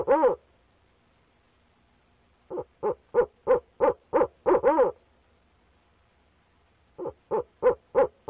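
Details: Male barred owl calling to his mate at a nest box, 29 April 2019: loud hoot, then a rhythmic series of evenly spaced hoots ending in a doubled, drawn-out note, silence, and another series resuming.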